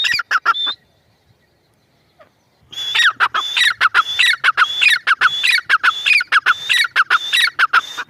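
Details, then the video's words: Teetar, the grey francolin, gives a short burst of harsh calls, stops for about two seconds, then resumes a long steady series of rasping notes capped with high whistles. "Teetar voice | gray francolin teetar sound | teetar ki boli | mada teetar ki awaz"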